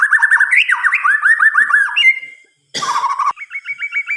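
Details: White-rumped shama (murai batu) singing at night with fast chattering whistled notes, a brief harsh burst, then a steady series of short repeated upslurred whistles.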